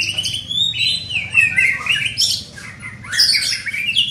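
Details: Young white-rumped shama in training, singing a continuous stream of scratchy, squeaky whistles that wander up and down in pitch, with a harsher burst near the end.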